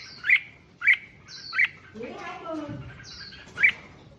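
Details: Red-whiskered bulbul song used to excite other bulbuls: four loud sharp chirps spaced under a second apart, with a softer descending chattering sound in the middle.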